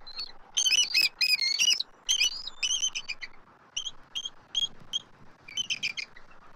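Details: Two adult eagles at their nest tree in Southwest Florida on 12 March 2024, calling as an immature intruder circles, picked up by a nest camera. High, thin, whistled chitters come in quick bursts of stacked notes with brief pauses between runs.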